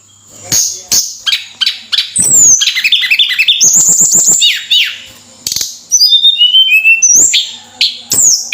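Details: Javan sunbird (tledekan) in full song: rapid, high, jingling trills, a fast stuttering buzz, then a run of sweet whistled notes stepping downward, with crisp ticks between phrases.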